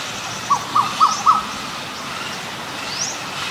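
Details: Male Asian koel giving a quick run of four short, clear, rising notes spaced about a quarter second apart, each slightly higher, then silence under faint traffic noise.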